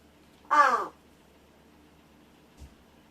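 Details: A captive rescued large-billed crow practicing its voice and speech while its keeper pretends to sleep gives one loud, harsh, hoarse caw, followed by a soft knock.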